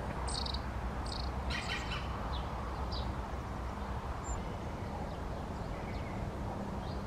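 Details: Long-tailed tit: a few short, sharp high calls in quick succession during the first three seconds, then mostly quiet apart from one faint high note, with low rumbling noise throughout.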